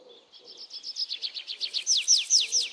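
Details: Birds chirping as relaxing nature sounds: a quick series of high tweets accelerating and rising, ending in four loud downward-sweeping whistled notes, with faint lower sounds beneath.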